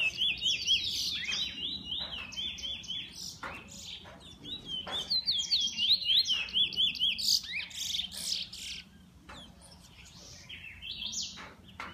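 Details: Song of a pet bullfinch: long bursts of rapid, high twittering and whistled warbles broken by sharp clicks, fading to quieter scattered notes toward the end.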